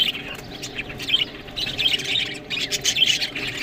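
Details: Budgerigars feeding on green food, giving bursts of squeaky chirps and short whistled notes separated by quieter moments of softer chatter.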